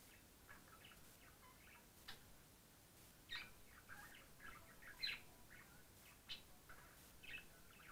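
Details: A pet budgerigar in a poorly lit room gives soft, scattered chirps and short scratchy notes over a low steady hum.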